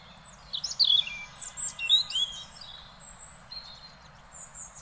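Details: A European robin sings in Beverwijk, the Netherlands: a thin, high warble of sweet, quickly changing notes in short phrases with brief pauses, over a faint low background hum.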